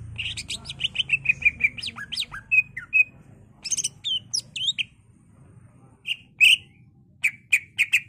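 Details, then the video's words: Greater green leafbird, a captive singing bird used as a lure and master for training others, in a long varied run of loud whistled and squawky notes, rapid repeated phrases and sharp chips with brief pauses. "Cucak ijo gacor bongkar isian full nembak ampuh untuk pancingan dan masteran"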